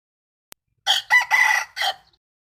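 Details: A rooster crowing, dated 12 April 2022: a single loud crow in four harsh, broken syllables over about one second, the third drawn out longest, preceded by a brief click.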